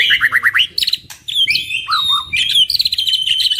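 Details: Two caged white-rumped shamas, kept as songbirds for training, sing a rich varied song: a rapid series of rising whistled notes, then sliding whistles and buzzy trills, fast and continuous.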